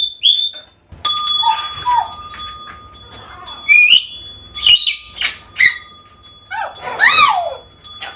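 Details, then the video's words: African grey parrot calls for luring a lost bird home: a busy run of short varied whistles, chirps and slurred notes, some rising and some falling, over a faint steady electronic tone. "AFRICAN GREY SOUNDS CALLING"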